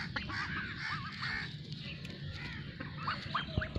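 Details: Khaki Campbell ducks on a duck farm giving a mix of wavering, nasal calls and short sharp squeaky notes, several birds calling over a low rumbling background.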